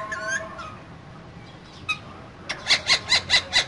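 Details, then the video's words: Pair of green parrots in a cage: faint whistled notes at first, then a run of five loud harsh squawks repeated at a quick, fairly even pace. "Two Green Cute Parrots Talking In Cage So Cute"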